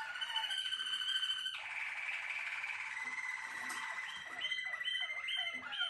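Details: A Malinois Waterslager canary sings a steady, sustained whistle, then a dense rolling passage and quick bubbling, water-like trills that rise and fall.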